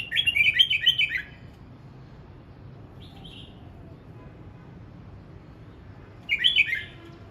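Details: Red-whiskered bulbul practising its song: a burst of rich, warbled whistled notes about a second long, a softer short whistle midway, then another warbled phrase near the end; quiet background otherwise.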